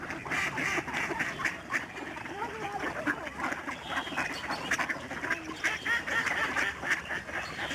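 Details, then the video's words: A vast flock of snow geese calls in flight above the Fraser River estuary at Delta, British Columbia, in March 2011. Harsh overlapping honks blur into a steady roar with no gaps. "Snow geese flying and honking"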